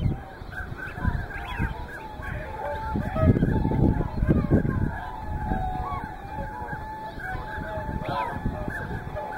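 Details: Whooper and tundra swans together at Hyoko, Niigata, Japan, recorded across a day from morning to evening: a flock giving overlapping nasal honks, some rising, others flat, with a steady low rumble beneath the busy chorus.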